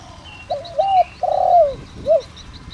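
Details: Decoy spotted dove in the 'đồng rặc' voice type, used to attract wild birds, gives one full low coo phrase: a short quavering opening, a long slurred falling middle note and a short closing hoot, with faint high chirping from small birds behind.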